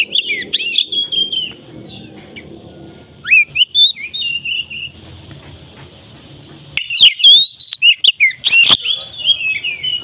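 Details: White-rumped shama song used as a lure for other birds: loud, varied whistled phrases with slurred and rising notes, bursts of sharp chattering notes later, and faint low background noise between phrases.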